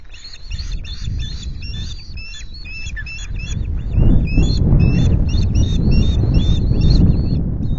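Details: Osprey calling at the Loch Garten nest during an afternoon fish delivery on 25 July; quick series of sharp, high, slightly rising piping notes, about two or three each second, over strong gusting wind rumble.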